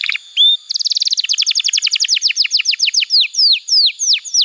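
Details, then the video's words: Canary song used as tutor material for young canaries: a short note, then a rapid trill of downslurred notes that slowly spreads out into well-spaced, sweeping whistled notes. "Pancingan Suara Kenari Gacor‼️ Ampuh untuk Masteran Kenari Muda dan Terapi Kenari Macet Bunyi"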